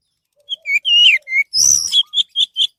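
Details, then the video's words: Orange-headed thrush phrases played as a lure for other birds: slurred whistles, a drawn-out falling note, a harsh buzzy burst, then a rapid string of short whistled chirps, with faint low whistles beneath. "SUARA BURUNG ANIS MERAH"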